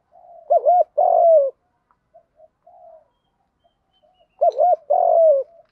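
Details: Spotted dove giving a continuous fighting coo in a field-style voice, used to lure wild doves: two loud bursts of mellow, wavering coos, each a quick double note then a longer falling coo, about four seconds apart, with faint soft notes between.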